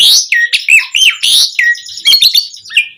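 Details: Asian pied starling singing loud, varied fill-in phrases to lure other starlings into song: strident slurred whistles that drop and bend, mixed with harsh grating chatter, delivered in quick uneven bursts.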